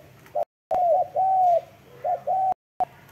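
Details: Spotted dove giving soft, mellow mid-pitched coos, each note a short hum or a longer slightly falling croon, in two phrases broken by abrupt silent cuts.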